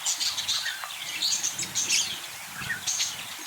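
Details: Several budgerigars calling at once, a steady tangle of high, rasping chirps and thin squeaky notes, lively and unbroken for the whole few seconds.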